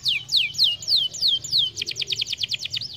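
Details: Canary song used to stimulate singing: a string of clear descending whistled notes about three per second, then a quicker run of short repeated notes, over a low steady hum.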